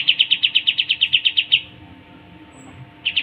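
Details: Pied triller singing for a bird-training recording: about a dozen quick, loud, high chipping notes in a tight series over a second and a half, then quiet before a new burst starts.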